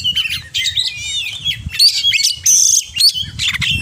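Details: Oriental magpie-robin in fluent, mimicry-filled song: rich fluting whistles, a wavering warble, then thin rising whistles and a long bright high note, with short pauses between phrases.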